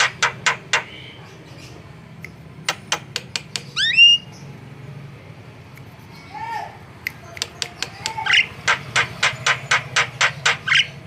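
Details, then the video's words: Energetic Javan myna song used as a lure: rapid dry clicks, one loud rising-and-falling ringing squawk, a low warbled phrase, then a steady run of sharp ticking notes. "SUARA MERDU BURUNG JALAK KEBO SUPER GACOR"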